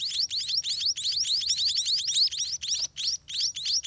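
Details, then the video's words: Hungry scaly-breasted munia chicks begging at a dirty nest while parents feed them all day; dense rapid high-pitched chirps, descending thin notes repeated several times a second with brief pauses. "Hungry Spotted Munia Baby Eat All Day"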